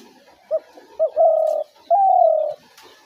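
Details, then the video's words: Spotted dove call, a dove-trap lure sound: two short soft notes followed by two drawn-out, even coos, the second slightly falling, in a quiet setting. "ঘুঘু পাখির ডাক/Dove bird calls"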